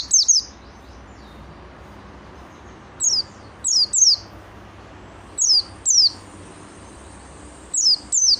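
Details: Oriental white-eye, an active singer, giving short clusters of high, thin, downslurred whistles, two or three at a time, spaced by silent gaps of a second or more.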